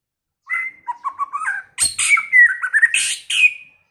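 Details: White-rumped shama singing a rich, varied phrase of clear whistled notes, some falling and some stuttered, then a burst of harsh, buzzy, scratchy notes mixed with bright whistles, about three seconds long.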